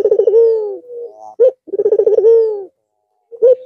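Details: White, red-eyed Barbary dove cooing again (manggung) after a long Eid al-Fitr holiday rest: two deep rolling coos, each a quick pulsed burst swelling into a steady drawn-out tone, with a short clipped note after each.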